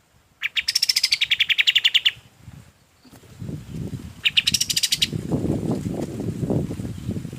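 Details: Golden-bellied gerygone song used for training other birds: a rapid high trill that starts higher and steps down, then a second shorter burst, followed by low rumbling background noise.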